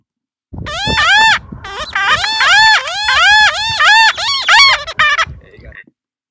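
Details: A juvenile Cooper's Hawk held in hand during banding gives a run of about nine harsh, nasal squealing notes, each arching up then down, roughly two per second.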